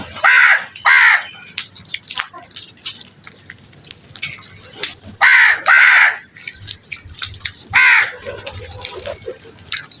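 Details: Crows during morning feeding time calling with harsh, raspy caws, given in pairs and singles with pauses of a couple of seconds between bursts, against quiet background rustling.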